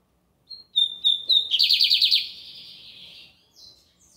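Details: Lined seedeater (bigodinho) in full Sunday song in Brazil: three pure high whistles, then a rapid pulsed buzzy trill trailing into a long fading buzz and a few faint closing notes.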